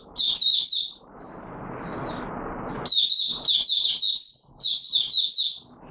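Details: Oriental white-eye in courtship, recorded 25 January 2022 after a late night's sleep: a high twittering phrase, a short gap filled with soft hiss, then two long bursts of rapid, bright warbling notes.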